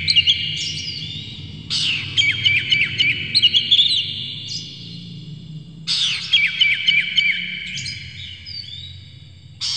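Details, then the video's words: Fired-up Oriental magpie-robin, tail fanned and fluttering, sings loud bursts of rapid chips and bright whistled flourishes in repeated phrases, with softer high notes between them and a constant low hum; the song works as a lure for other magpie-robins. "dijamin kacer langsung ngamuk2 dengar kacer ini bongkar emosi buka ekor ngobra full isian"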